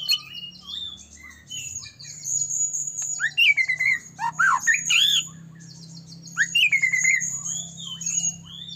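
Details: White-rumped shama song played as a lure to make other shamas sing and turn agitated: very high thin trills run throughout, interrupted by loud descending whistles and harsh rattling notes; a low hum in the background.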